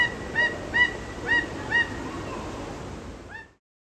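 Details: Zoo Peruvian thick-knee gives four loud, nasal, honking notes about half a second apart, then one more after a pause, over a steady rushing background noise.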